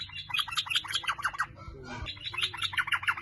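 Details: Sooty-headed bulbul recording used as a lure to prompt other bulbuls to sing, described as a lively fighter-style singer. Dense bubbly chattering notes in two rapid bursts with a brief pause between them.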